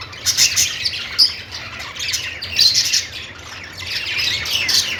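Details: Budgerigars in happy chirping mood: spaced flurries of hoarse squawks and thin squeaks, growing into busier chatter toward the end.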